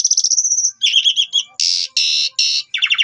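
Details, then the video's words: Lure song of an Asian pied starling, used to draw replies and singing from other starlings: a high trilled whistle, a warbled double-toned phrase, three loud harsh screeching bursts, then a quick pulsed chatter. "Cukup 3 Menit Saja Jalak Suren Bakal Nyaut Dan Ikut Gacor Dengan Pancingan Jalak Suren Ini"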